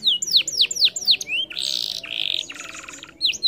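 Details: Canary singing: quick repeated falling whistles, then a harsh buzzy trill and rattling phrase, before the whistles return, over faint low background hum.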